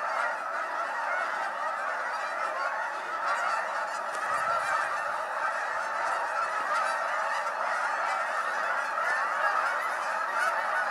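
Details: Canada geese in their hundreds lifting off together at Appleton Farms, January 2016, during unusually warm weather; a loud, unbroken wall of honking from many birds at once, with no pauses throughout.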